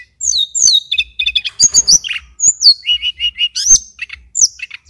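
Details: Male mountain tailorbird from Banyuwangi in full, continuous song used as a master song for training other birds: rapid varied high whistles, sharp falling slurs and short repeated chirps in quick succession, with faint low thumps beneath.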